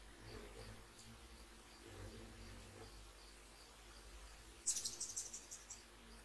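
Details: Hummingbirds visiting in the early morning for a sunrise feed. A quick run of high, thin chirps in a burst of about one second, over a steady low background of circulating fountain water.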